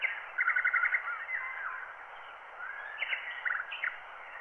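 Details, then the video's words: Wild bird song dubbed from a microphone recording onto black wax at 90 rpm: a quick rattling burst of repeated notes, then slurred whistles and a few upswept phrases later on, muffled and narrow in tone under constant surface hiss. "wild bird songs"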